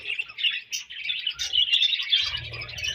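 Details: Budgerigars chirping in quick, squeaky warbled phrases, a steady stream of bright chatter with short breaks.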